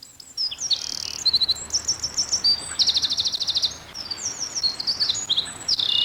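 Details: A Eurasian wren in a broadleaved forest clearing with replanting and scrub explodes into loud, high, rapid song, pouring out fast trills and sharp chattering notes without a break.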